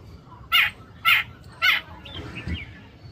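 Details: Rufous treepie calling while feeding: three loud, harsh, grating notes about half a second apart, followed by softer, fainter chatter against quiet background noise.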